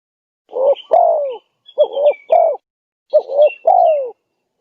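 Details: Persistently calling spotted dove on a lure track meant to draw in wild doves. Three quick cooing phrases, each a short double note then a drawn-out descending coo, with thin high twittering of small birds above.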